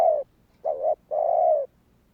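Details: Spotted dove calling to stir other doves into answering, a low coo sequence of one short note, a dipping middle coo and a long sustained purring coo, clear against a quiet background.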